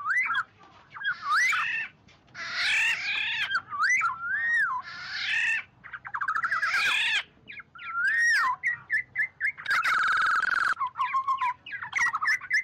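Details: Oriole giving a flock-gathering call, a long mix of mellow looping whistles and rasping, buzzy squawks in uneven bursts, with a short steady tonal note near the end and a low background hum.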